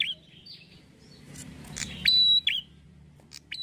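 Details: Red-headed prinia lure call used to provoke prinias into answering: scattered sharp chips and buzzy notes, then a loud clear high whistle followed by a short buzzy trill, over a quiet low hum.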